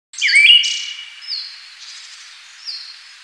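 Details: Siberian thrush giving a clear whistled phrase that dips and then steps upward, followed by fainter echoing high notes over a quiet background.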